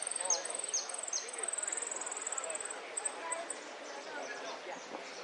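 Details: Sicalis flaveola, the saffron finch, delivers a high trill of rapid pulses mixed with quick falling notes. Phrases then thin out into sparse chips over a constant wash of background noise.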